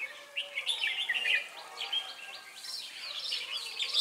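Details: Red-whiskered bulbuls at a bird-trapping site in Ba Thá on 18 December 2016, where a lure bird calls wild birds. Dense overlapping whistled and chirped phrases, rising and falling, pour out almost continuously with a faint background hiss.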